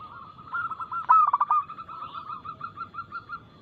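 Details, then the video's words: Local zebra dove, or perkutut, singing its fast, loud, clear cooing song, played as a lure to set other birds singing. A sharp burst of clipped coos is followed by a run of softer, even, rolling coos. "PERKUTUT LOKAL GACOR Nada cepat Suara keras kristal Bikin cepat bunyi ( Pancingan Burung Anggungan)"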